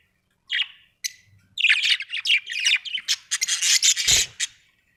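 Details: Pet budgies produce a dense, scratchy chatter mixing high warbled notes and rasping squawks, building after two opening chirps.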